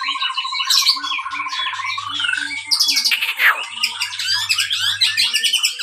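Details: Captive-bred white-rumped shama from Pangandaran, used as a lure song to stimulate other birds: steady repeated low whistle notes under a dense, varied jumble of high chirps, trills and harsh notes.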